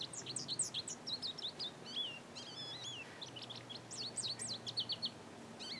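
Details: Male goldfinch in breeding plumage singing in a garden: continuous rapid twittering of high, swooping and trilled notes, a short whistled phrase midway, over a faint low hum.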